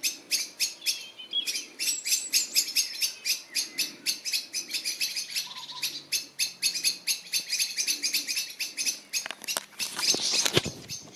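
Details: Bird twitter from 2021: steady, rapid bright chirps roughly four per second, overlapping high warbles, then a loud burst of rustling or flapping near the end.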